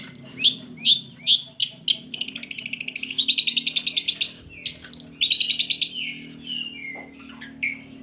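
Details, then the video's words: Long-tailed shrike song used as a lure to prompt reluctant shrikes to sing: three sharp downslurred notes, then fast buzzy trilled rattles, clear whistles and varied chattering phrases, with a faint low hum beneath. "Pancingan Buat Burung Cendet"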